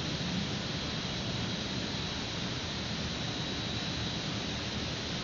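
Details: Steady broadband roar like wind or distant traffic fills the recording, with no animal calls audible.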